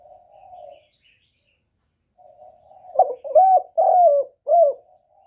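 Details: Spotted dove calling, used as a lure for trapping: a soft low hum, then a loud phrase of four short, husky coos with a rolling, slurred middle note, over a quiet background.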